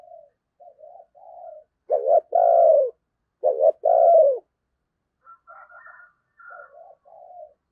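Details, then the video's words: Spotted dove used as a decoy during Tết, giving thúc gù coos meant to attract wild doves. Two strong phrases of short notes and long mellow coos sit among softer, quieter coos and faint higher calls. "Tiếng Chim Cu Mồi Thúc Gù Cực Hay và Hắp Dẫn Để Anh Em Kích Bổi Mùa Tết"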